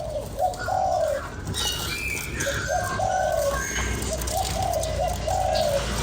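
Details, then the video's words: Spotted dove cooing to excite a lure bird: paired low, throaty coo phrases, each a short note followed by a longer one, repeated twice over steady background chirping of other small birds. "Cu gáy kích bổi"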